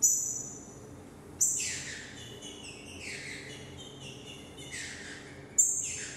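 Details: A young green-winged saltator, hatched in 2018, gives loud, clear whistled phrases with downward-sweeping notes, opening with sharp high bursts that return about every four seconds.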